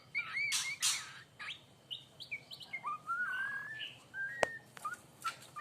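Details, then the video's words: Aceh-type white-rumped shama, a young bird in the 'hormat wasit' singing style, gives clear whistled phrases of rising and level notes with short gaps, plus brief buzzy bursts. One sharp click is heard. "Murai Aceh # Anak Muda Gaya Hormat Wasit"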